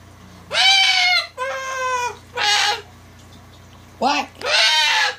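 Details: A pet cockatoo playfully barking and laughing gives five loud, nasal, bark-like calls, each under a second, with short pauses between them, over a faint steady hum.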